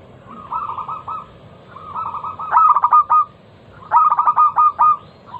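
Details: Lure song of a local zebra dove, used to get other doves singing: softer trilled coo phrases alternate with two loud bursts of fast, staccato, ringing coos, each about a second long.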